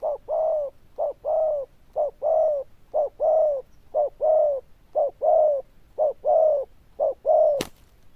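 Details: Zebra dove with a loud bell-toned voice and good cooing style, giving low hollow coos in short-then-long pairs, about one pair a second, with a sharp click near the end.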